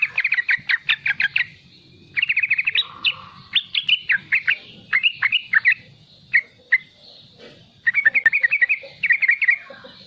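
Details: Sooty-headed bulbul, young and vocal, giving 'riwikan' chatter to train other bulbuls; staccato bursts of rapid notes alternate with single slurred whistles and short pauses over a soft low hum.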